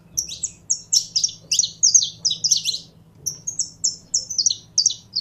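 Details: Saffron finch singing a fast string of high, clipped whistled notes and buzzy chirps, with a short pause near the middle before the phrases resume. A low electrical hum runs throughout.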